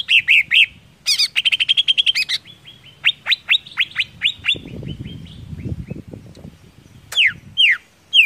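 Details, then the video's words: Greater green leafbird singing to provoke others: looping whistles, a fast buzzy trill, a run of falling slurred notes, then loud downslurred calls, with low rumbling noise underneath. "BIKIN CUCAK IJO MANAPUN TERPANCING EMOSI"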